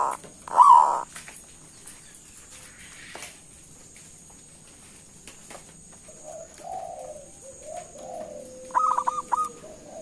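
Zebra dove giving soft, mid-pitched cooing notes in short rolling phrases, ending in a quick staccato burst, over a faint steady high hiss.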